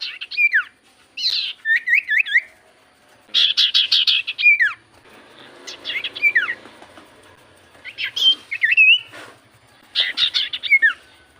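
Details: Javan white-eye lure song to make other birds respond: repeated phrases of buzzy rattling bursts ending in sharp downswept whistles, given in groups every two to three seconds.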